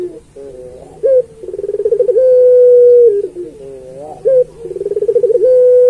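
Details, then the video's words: Turtle dove of the puter pelung type, sung to train other pelung doves: two phrases, each with a rising note, an accelerating rolling trill and a long steady coo. "Suara Burung Puter Pelung Masteran"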